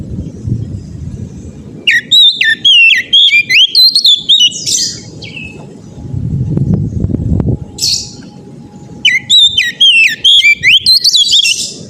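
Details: Ngeplong gacor song of an oriental magpie-robin, used to set other magpie-robins singing. Fast strings of loud, clear whistles and slurred chips come in two long bursts with a brief call between them, over steady low background noise.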